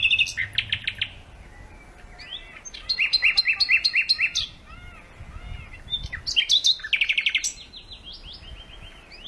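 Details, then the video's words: Songbird chorus of fast repeated chirping trills in several bursts, with sliding whistled notes and high twitters between them over a quiet outdoor background. "пение птиц"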